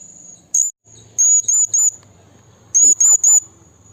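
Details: Blue-crowned hanging parrot calling a rival in the wild: thin, very high squeaky notes, a single one and then two quick runs of three, with a faint steady high hum behind.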